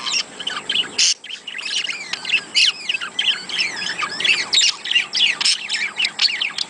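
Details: Rapid, squawky budgerigar chatter, played to prompt budgies to breed: many fast chirps and scratchy squeaks tumble over one another almost without pause, with a few louder sharp bursts.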